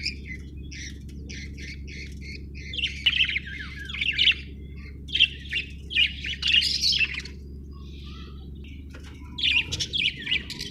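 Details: Budgerigar giving a series of evenly spaced short chirps, then looser scratchy warbling chatter with gaps, over a steady low hum.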